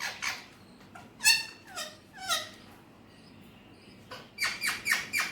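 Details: Talking Alexandrine parakeet, natural voice, with Urdu/Hindi. Irregular raspy chattering syllables, about one per second, with a faint thin whistle in a pause, then a quick run of four rough notes.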